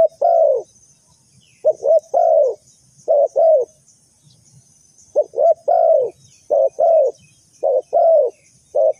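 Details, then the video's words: Decoy spotted dove for trapping birds, delivering a steady series of soft, low cooing phrases, each a pair of short notes followed by a drawn-out coo, repeated with brief pauses. "The Sound Of A Spotted Dove is very good"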